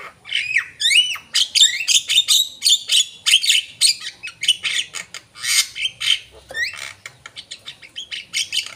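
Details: Energetic Javan myna song of squawking, grating notes interwoven with sharp rising whistles, delivered in fast uneven runs that grow into clipped, rattling bursts.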